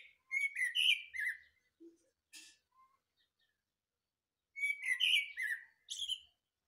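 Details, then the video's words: Morning song of a thrush, delivered as quick clusters of fluty and chirping notes, one phrase near the start and another after a three-second pause, with a few soft lower notes between. "Пение Дрозда"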